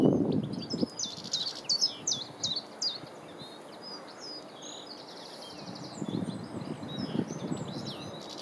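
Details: European goldfinch (Carduelis carduelis), likely subspecies britannica, at Landtong Rozenburg, South Holland, Netherlands, 3 April 2021, gives quick, high, tinkling twitter calls in short bursts over low wind rumble and rustling.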